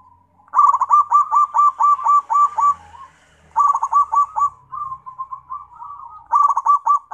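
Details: Zebra dove singing energetically: three bursts of rapid, stuttering, vibrating coo notes, each about six to eight pulses, separated by softer drawn-out purring coos, with a faint low hum underneath.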